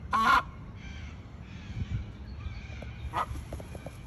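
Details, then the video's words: An Australian white ibis gives one loud, harsh, honking croak, then a fainter rasping call about three seconds later, over a steady low background rumble. "The Australian White Ibis and its call!"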